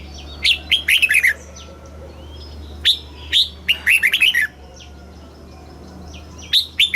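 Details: Red-whiskered bulbul song from Thailand in the southern master style, played to rouse caged birds and tutor chicks. Several lively phrases of sharp, descending whistles are separated by pauses, with a steady low hum.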